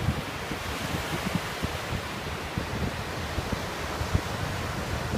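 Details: Continuous wind and surf noise with soft low thumps throughout and no animal calls heard.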